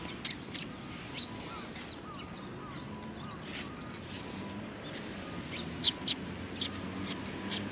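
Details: Sparrows at a Tenmangu shrine in February 2020: a quiet stretch with a couple of early chirps, then a burst of brief, high, clipped chirps near the end over a faint hum.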